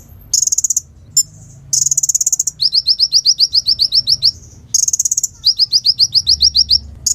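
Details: Sunbird in full vigorous song, kept as a tutor recording for sunbirds that have stopped singing and for other songbirds: dense, very high buzzing trills alternate with rapid series of sharp, downslurred chips, with brief pauses between bursts.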